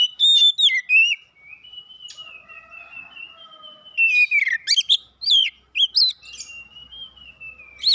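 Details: Singing-contest winner, an oriental magpie-robin, mixes long level whistles with bursts of loud chirping, slurred and buzzy notes in irregular phrases.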